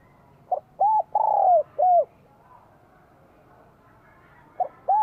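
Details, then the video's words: Vietnamese spotted dove, spring 2023, bell-voice song. One full phrase of short note, arched coo, long falling coo and closing coo, then a pause of about two seconds before the next phrase begins. "CHIM CU GÁY GIỌNG CHUÔNG KÍCH BỔI CỰC SUNG CHÀO XUÂN NĂM 2023"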